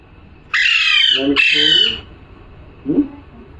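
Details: Two long, harsh parrot squawks run almost back to back, rough and shrill, with a faint lower chuckling note a second later.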